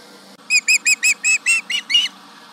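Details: Osprey at the Charlo nest yelling at a tractor near the nest, 11am MDT on July 31, 2019: eight sharp, high whistled chirps in a quick, even run lasting under two seconds, with faint steady background hum.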